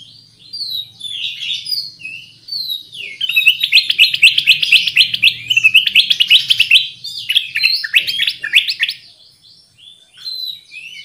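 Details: Black-crested Bulbul (cucak kuning) singing vigorously as a lure call to attract birds: scattered whistled notes, then a long, fast chattering stream of slurred notes for several seconds, easing into separate phrases, over a low background hum.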